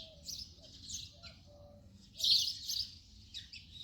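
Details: A house sparrow's scratchy chirps, quieter at first, then a loud cluster of rapid chirps before trailing off.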